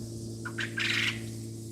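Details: A male quail crows at mealworm snack time: two quick rising notes, then a harsh, buzzy burst, over a steady low mechanical hum. The owner hears it as 'look at me' and suspects it wants more worms.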